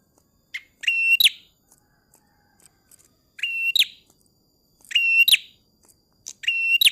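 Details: Tailorbird song: loud, sharp, bright chip notes in tight bursts of two or three, repeated roughly every two seconds, over a quiet background.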